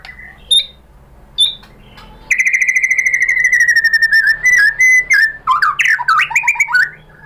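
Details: White-rumped shama song as training material for other birds: two isolated whistles, then a long rapid trill of repeated notes, followed by separate whistled notes and quick varied warbling phrases.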